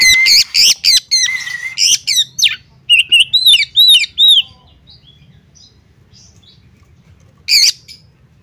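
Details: Harsh, buzzy rasping bursts from a female Oriental magpie-robin calling a male, followed by a run of repeated, looping whistled chirps, a quiet gap, and one final rasping note.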